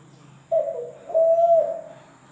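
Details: A single zebra dove phrase: a short low note, a brief pause, then a longer steady mellow coo that falls slightly as it fades.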